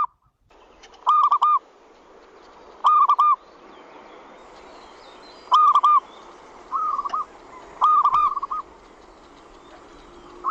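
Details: Zebra dove call played to lure birds in and make them answer: short bubbling coo phrases spaced one to two seconds apart over a steady low hum.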